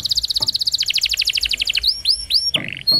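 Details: Canary singing a roll song meant for training young canaries: a fast even trill of high notes for nearly two seconds, then several looping upswept whistles and a brief buzzy burst.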